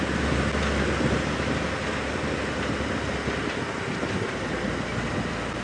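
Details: Loud, continuous engine drone of a safari vehicle on a sunrise drive, low hum with rattling, no animal calls.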